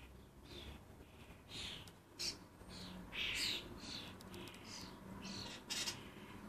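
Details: Common starling fledglings in Lancashire, excitable and clumsy, following their parents closely: harsh, noisy calls in short bursts of about half a second, recurring irregularly, over a low background hum.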